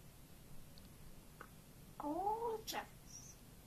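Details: A female pet African grey parrot gives a brief voice-like phrase with rising and falling tones, then a sharp click and a short high whistle in a quiet room.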